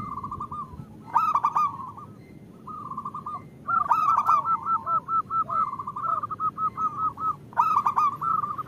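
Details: Female zebra dove calls to a male, a sound played to lure males into singing: bursts of fast, bubbling coos open each phrase, then a steady run of about a dozen clipped, evenly timed notes.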